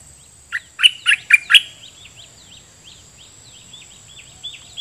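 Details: Caged red-whiskered bulbul used as a decoy, singing at wild birds in the forest: a quick burst of five loud, bubbly whistled notes, then softer, thin answering chirps repeated in the background.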